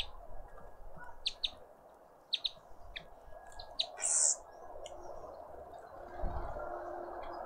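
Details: Garden birds at a feeder in a suburban garden in Pretoria, South Africa: short sharp high chirps and tweets in scattered bursts, one louder buzzy note near the middle, over a steady low hum.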